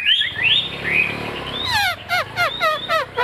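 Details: Caged Chinese hwamei with a leaf-shaped tail singing: a few clear rising whistles, then a rapid series of sharp, descending whistled notes repeated roughly every quarter second.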